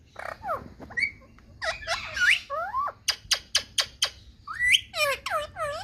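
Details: Talking green ringneck parakeet kept as a pet in India: a mix of falling squawks, a rising whistle near the middle, a rapid run of sharp clicks, and a final burst of curved harmonic calls.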